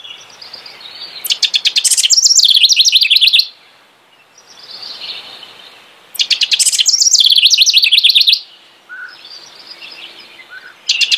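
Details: House wren delivering two full bubbly songs about four seconds apart, each opening with soft warbling and swelling into loud rattling trills, with a third song starting at the end.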